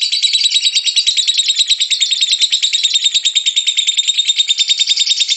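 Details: Rapid, scratchy ngekek chattering from a lovebird, a lure to set other lovebirds singing: dense, high pulsed notes repeated evenly, with no break and no other sounds.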